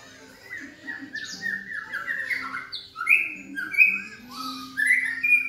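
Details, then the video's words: Juvenile Medan white-rumped shama with black legs, around 3.5 months old and still showing baby feathers, singing loudly at a home in Yogyakarta: a rich, varied warble of quick rising and falling whistles and sharp phrases, growing louder. "Istimewa Murai Trotol Gacor Dor-Murai Batu Medan Kaki Hitam Trotol-Lagu Murai Medan-Trotolan Murai"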